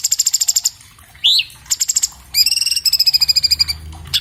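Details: Recorded with an iPhone 7 Plus as training material for caged birds, an orange-bellied leafbird gives a rapid high trill, a rising whistle, more chattering notes and a long flat buzzing rattle.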